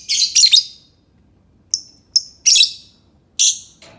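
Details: Lovebird giving sharp, high, shrill chirps: a burst of loud notes, then thinner clipped double calls and two more harsh squeaks, over quiet background hiss.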